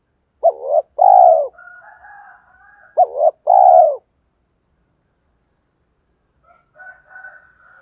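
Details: Spotted dove lure call: two deep two-part coos about two and a half seconds apart, each a clipped note then a fuller falling coo, with soft higher chattering in between and near the end.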